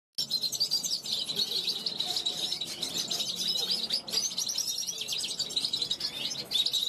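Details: Young European goldfinch hatched in 2021, kept on a balcony, calling to wild goldfinches flying past. It gives a continuous rapid twittering of high, tinkling, buzzy notes with no pauses. Faint low murmurs sit underneath.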